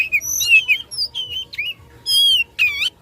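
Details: Caged Oriental magpie-robin in fighting mood, singing to rile rivals: sweet whistled slurs and a falling note, then a sustained bright whistle and a sharp harsh burst, loud and clear above a low steady hum.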